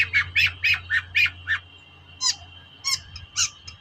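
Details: Long-tailed shrike in full voice, used as a lure to stir reluctant shrikes into singing: a quick run of six harsh, squawking notes about four per second, a pause, then three more rasping notes, over a faint steady high tone.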